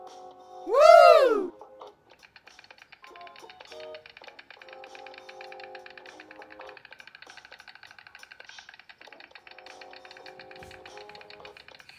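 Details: Background music with a loud rising and falling swoosh and steady tapping, with no animal voice heard.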